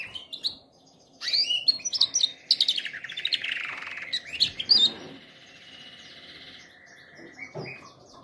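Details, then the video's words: Canary singing for training canaries: rapid high chirps and a buzzy descending roll, bursts of loud notes, then a quieter sustained trill toward the end. "canary singing best video to training canaries birds"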